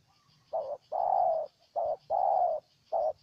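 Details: Spotted dove in Ninh Thuan, Vietnam, cooing in a low rhythmic pattern of alternating short and drawn-out notes, five coos in about three seconds, over a quiet background.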